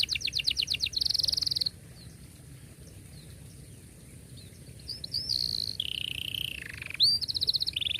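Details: Canary singing a long gacor song with cuit cuit notes and tight rolls, used to teach young canaries to sing: fast high rising notes, a buzzy trill, a quiet gap, then whistled notes and rolling phrases, a faint insect hum underneath.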